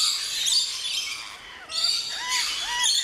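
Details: Noisy flock of Rainbow lorikeets in the lorikeet garden of the Orchideeën Hoeve, Luttelgeest, Netherlands, at opening time with no visitors: a dense wash of shrill, screechy chatter with a few clearer whistled notes dipping and rising about twice a second.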